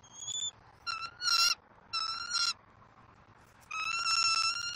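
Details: Bald eagle at its Southwest Florida nest, 5 February 2024, as a fish is delivered and fed to the eaglet: a thin high note, then stuttering ringing chatters, and finally a longer sustained shrill call.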